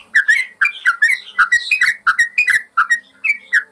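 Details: Master song of a yellow-vented bulbul for training caged birds: continuous, bubbling whistled phrases in pairs and triplets, mellow and lively, evenly paced throughout.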